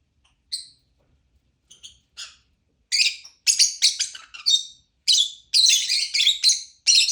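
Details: Lovebird starting with a few thin, isolated chirps, then breaking into a loud, fast series of shrill, buzzy notes that run nearly continuously.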